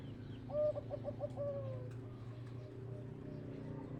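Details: Zebra dove cooing: a short series of rapid, soft staccato notes followed by a longer drawn-out coo, over steady low humming background noise.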